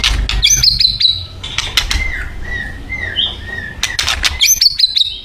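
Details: Thai white-rumped shama singing: high whistled notes between sharp clicks, then a soft series of level whistles and a final high burst.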